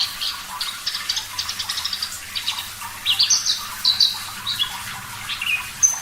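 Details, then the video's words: Javan bush lark (parva) on a bird-training track: soft, rapid high twittering at first, then louder, clear, thin whistles and sharp chirps scattered through the second half. "Masteran Branjangan Parva Gacor Suara Jernih"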